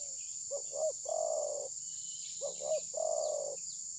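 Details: Decoy spotted dove during bird trapping, not willing to strike its opponent, phone recording: two mellow coo phrases, each a pair of quick hoots followed by a drawn-out purring note, with constant shrill insect buzz behind.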